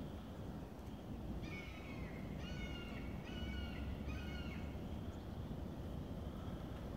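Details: Bald eagles heard far off at Cowles Bog in the Indiana Dunes: four quick bursts of thin, stuttering, high chattering notes about a second apart, then quiet, with constant low rumbling noise throughout.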